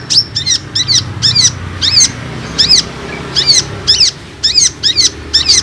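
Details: Olive-backed sunbird calls used as a lure to make other sunbirds respond: sharp, high, chevron-shaped notes repeated in quick clusters, about fourteen in under six seconds, over a faint low hum.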